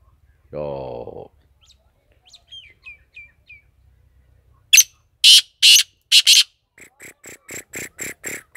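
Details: Black francolin offered for sale, giving loud, harsh, hissing bursts repeated about twice a second, after a short low, buzzy, nasal note and a few faint thin whistles; a quicker series of softer clicking notes follows.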